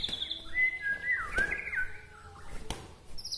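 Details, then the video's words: White-rumped shama from Bahorok in Medan, song said to excite other shamas; a rich, sliding whistled phrase dipping and rising, preceded by a high note and punctuated by sharp clicks. "suwara murai batu Bahorok ini mengangkat emosi murai batu lain"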